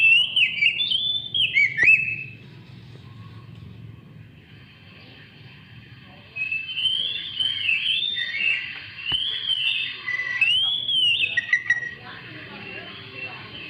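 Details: Oriental magpie-robin song for provoking other birds to sing: a warbled opening phrase, a pause, then a series of arched whistles repeated roughly every second, faint background hum throughout.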